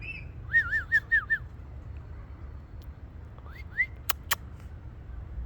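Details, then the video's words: Ringneck parrot talking, producing four wavering, looping whistled notes in quick succession, then two separate upslurred whistles, with two sharp clicks afterward and low background rumble throughout. "ringneack parrot 🦜 talking"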